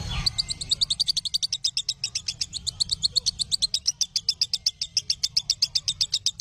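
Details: Lovebird training song for other lovebirds: after a short thump, a long run of quick, sharp, high chirps, roughly four a second, over a faint low hum.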